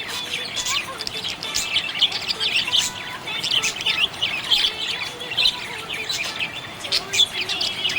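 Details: Happy budgerigar chirping: dense, busy chatter of short scratchy chirps and quick warbled notes, with sharp clicks scattered throughout. A faint steady tone sits low beneath.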